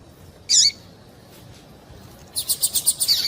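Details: Female double-collared seedeater call, meant to get a male singing. One loud, bright buzzy note comes first. After a pause, a quick even series of about eight high chirps follows.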